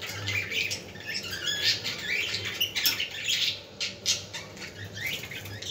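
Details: Budgies heard to stimulate other budgies: softer, scratchy twittering and squeaks over a low background hum, with a few sharper chirps near the end.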